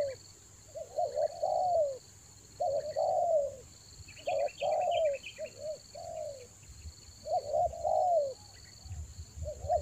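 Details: Spotted dove coos for luring in the rainy season, Toba: repeated phrases of short doubled notes ending in a long sinking coo, light twittering of small birds in the middle, steady electronic whine throughout.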